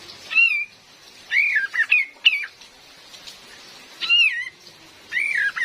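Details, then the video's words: Calls of a female cream-vented bulbul, used as a lure for trapping in the forest: bright whistled slurred notes, some dipping and rising, in short bursts with pauses, over a faint rain hiss. "SUARA ASLI KAPAS TEMBAK BETINA || COCOK BUAT PIKAT DAN PANCINGAN"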